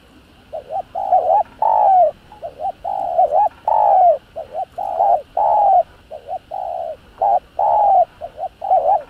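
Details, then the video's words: Spotted dove giving a fast provoking 'thúc gù' coo used to stimulate decoy doves into cooing: loud low hooting coos, long notes alternating with short doubled ones, about every second, in a clean recording. "Tiếng cu gáy thúc gù kích mồi tập bổi, kích bổi ức chế gáy"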